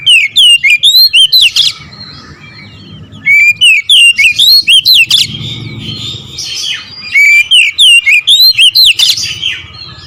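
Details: Oriental magpie-robin in nembak ngerol style: three loud phrases of fast, shrill, twisting whistles, each lasting one to two seconds and separated by quieter stretches with low background hum.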